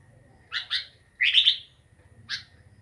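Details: Sooty-headed bulbul giving a few fainter chirped notes and a brief chattering burst, with a low steady hum underneath.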